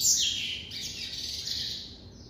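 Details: Captive coleiro (double-collared seedeater) in classic song: an abrupt sharp high note leading into a sustained, rapid, buzzy warble that wavers and slowly fades over two seconds.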